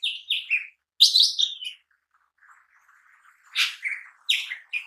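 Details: Lesser green leafbird (cucak ijo mini) in vigorous song, a lure and daily training recording: a run of sliding whistles, then a rich warbled phrase, a quiet gap with soft chatter, and two more bright bursts.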